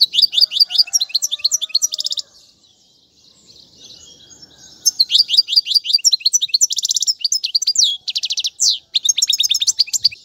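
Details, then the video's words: European goldfinch song played to teach fledglings: rapid tinkling notes and buzzy trills for two seconds, a near-silent gap, then a long run of energetic twittering and metallic rattles. "أفضل تغريد الحسون"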